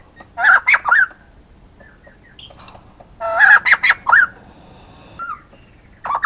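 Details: Male white-crested laughingthrush calling in loud harsh chattering bursts of several notes, repeated about every three seconds, with fainter notes between.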